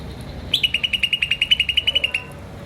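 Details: Chirping of a green starling: one quick run of about seventeen sharp, high, evenly paced notes lasting under two seconds, in a quiet room.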